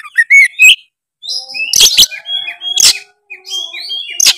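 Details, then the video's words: Oriental magpie-robin in full song, used to provoke a lazy bird into singing: high whistled notes and quick slurred phrases broken by sharp harsh bursts, with pauses between phrases. "suara kacer gacor cari lawan pancingan kacer malas bunyi seketika gacor"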